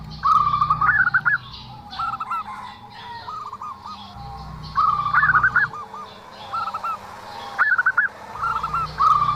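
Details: Zebra dove giving an unusual call, repeated short bursts of quick stuttering coos, each phrase rising slightly then dropping, spaced roughly every second or two, low hum beneath.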